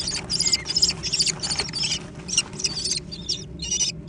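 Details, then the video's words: American kestrel young squabbling over food. Harsh, buzzy, high calls repeat about two to three times a second in a fairly irregular series, with a low background hum. "小隼的搶食大戰 (American Kestrel)"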